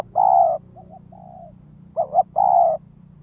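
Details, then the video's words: Ground lure spotted dove calling to challenge wild doves: a long mellow coo, two soft low answering coos, then a wavering double coo and another long steady coo. "Tiếng chim cu gáy mồi đất Gáy Gọi Thúc Kích Bổi"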